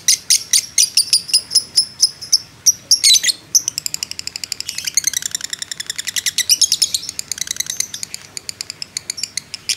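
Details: Agitated fighter lovebird in long 'ngekek' song, recorded to bait other lovebirds: evenly spaced piercing chips first, a brief harsh burst, then a very fast, tightly packed rattle of thin high notes.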